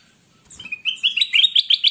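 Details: Caged ruby-throated bulbul (kutilang emas) in lively song, used as a master recording for birds reluctant to sing. A slurred whistle opens into quick, bright notes repeated about eight times, growing louder.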